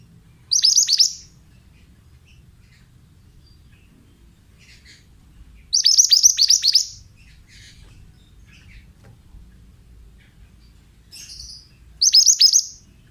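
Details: Male pied bushchat, a therapy and lure recording for young birds: three short bright phrases of rapid high down-slurred notes, spaced several seconds apart, with a faint low rumble beneath.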